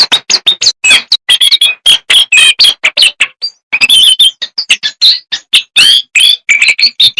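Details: Small jongkangan songbird singing loudly and continuously: rapid runs of sharp chirps and twittering whistled phrases, rising and falling quickly, with one brief pause near the middle.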